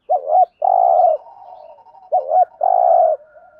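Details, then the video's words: ["Spotted dove in the 'thúc gù' cooing style used to excite and lure wild doves: two phrases, each a short looped double note followed by a long, even, buzzy coo, with soft faint notes trailing between."] "tieng chim cu gáy thúc gù"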